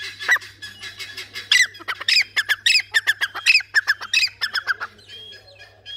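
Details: Francolin giving a long burst of loud, harsh, rasping squawks repeated quickly and unevenly for about five seconds, then stopping; a steady low hum sits in the background.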